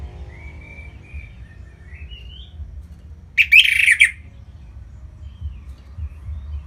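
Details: Orange-headed thrush from Singaraja, North Bali, singing to stimulate other birds: faint, thin rising whistles, then one short, loud burst of dense, rapid warbling, over steady low background rumble.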